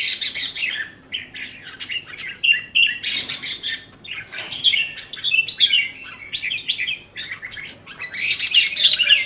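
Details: Red-whiskered bulbul kept as a songbird, delivering bright warbled phrases that rise and fall in quick bursts, dense runs of chirpy notes separated by brief pauses throughout.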